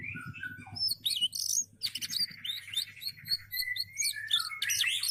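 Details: A 'gacor' canary, kept as a songbird and said to sing constantly, delivers a varied song of rolling warbles, high sweeping whistles and fast twittered phrases that continues almost without pause, over a faint low hum at the start.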